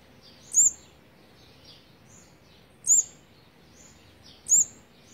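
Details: Olive-backed sunbird feeding its fourth brood, day 18, 8 March 2020; three thin piercing notes roughly every two seconds, each with a brief sweeping trace, over faint high twitters.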